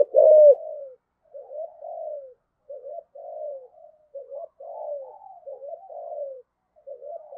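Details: Caged decoy spotted dove of the 'giọng thổ' voice style giving urging 'thúc gù' coos and calling song with two-note endings ('hai hậu'): a loud low opening coo, then a run of soft, throaty cooing phrases with short pauses, in a quiet setting.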